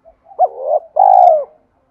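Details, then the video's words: A single spotted dove coo in the 'thúc' style used to excite wild doves, made of a rising hooked note swelling into a sustained tone, then a longer, steady, slightly falling coo. "tiếng cu gáy Thúc cực đỉnh dùng kích bổi rất hiệu quả/ cu gay kich boi nhanh noi gù"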